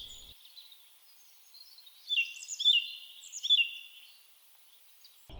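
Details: Eurasian blackcap singing on Staines Moor on the morning of 13 May 2024: a brief, fairly quiet warble of rich, fluty notes mixed with scratchy twitters over a few seconds, with steady background hiss.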